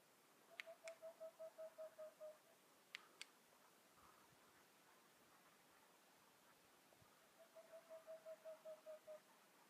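Whiskered Screech-Owl giving two soft runs of about ten low, evenly spaced hoots, dropping slightly in pitch, with a few faint clicks between.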